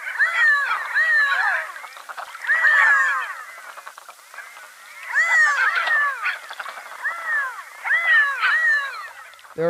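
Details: Redheads calling together with overlapping nasal, catlike rising-and-falling notes in bursts about every three seconds; a species that often lays eggs in other birds' nests; one was found recently at the Cedar River mouth, southern Lake Washington.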